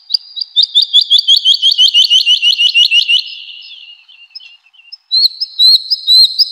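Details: Singing woodlark in a spring forest gives an even, accelerating series of about twenty bright descending whistles, a brief gap, then a few higher upslurred notes.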